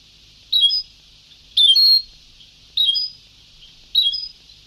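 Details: European goldfinch from an old sabtawi song tape, giving short, bright, twangy chirp phrases about once a second, each with a sliding high note, over light tape hiss.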